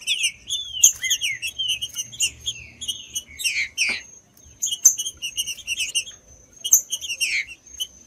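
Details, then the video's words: Green-winged saltator giving whistled song, used as warm-up audio for kept birds: wavering notes at first, then a steep downward slur, a brief quiet gap and further falling phrases amid steady high chirping. "TRINCA FERRO CANTANDO"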